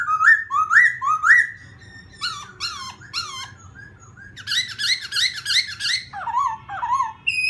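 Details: Laughingthrush; song; provoking another bird to sing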